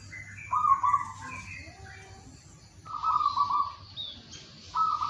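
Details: Local wild zebra dove singing in the morning: an opening burst of rolling cooed trills and notes, a pause, then two more loud pulsing trills, with faint higher bird chirps behind.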